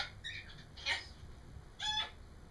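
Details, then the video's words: Pet parrot babbling in a home, giving a few short squeaky chatter notes and a harsh rasp with quiet pauses between. "Alice babbles"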